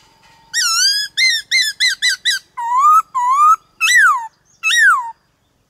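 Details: Black-throated laughingthrush delivering varied 'đảo giọng' song to provoke other birds and train young singers: a long whistle, a rapid run of short hooked notes, two rising whistles, then two loud falling phrases.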